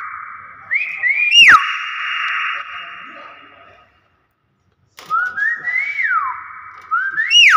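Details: Natural whistling of a common hill myna from Borneo: clear, sliding whistles that rise and fall with quick upward flicks, a sustained tone, a short silence, then more looping whistles. Some clicks and a steady background hum are also audible.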